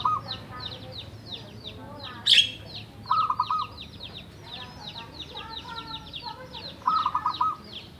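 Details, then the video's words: Local wild-origin Javanese zebra dove, kept for seven years and in full song, used to prompt reluctant doves to sing: three short bursts of quick, staccato cooing notes, heard over a constant chatter of many small chirping birds. "Perkutut lokal Jawa gacor untuk pancingan perkutut yang malas bunyi"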